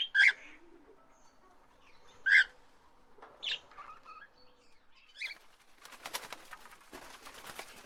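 Parrots give short, sharp squawks and chirps, spaced a second or two apart, followed by a burst of fluttering wing noise.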